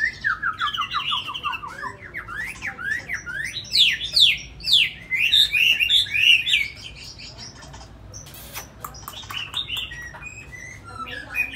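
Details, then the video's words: Tame Chinese hwamei kept in a cage in Hanoi, Vietnam, delivering a series of descending whistled notes followed by loud, rapid, sweeping phrases; after about seven seconds the song turns quieter and scattered, with short sharp notes. "Mi thuần cb6159 đẹp mau mỏ hót hay"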